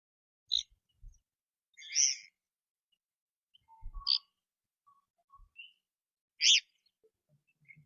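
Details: A martin pair building their nest trade communication calls: short, high chirps and buzzy twitters in scattered bursts, with faint low thumps between the calls.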